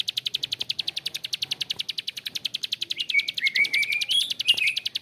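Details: Bar-winged prinia, locally prenjak klik, rattling in a fast harsh 'ngebren' string of high clicks, joined in the second half by rising whistled notes from another bird.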